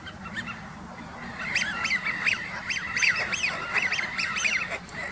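A flock of Eurasian wigeons gives overlapping whistled 'wheeoo' calls, clear and rising then falling, several each second, over a low background rumble.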